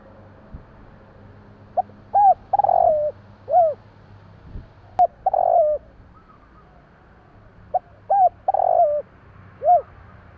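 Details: Spotted dove (tekukur jawa) calling at night: three low cooing phrases about every three seconds, each a short soft note, then a louder rolling coo, then a separate falling coo, over a faint steady low hum.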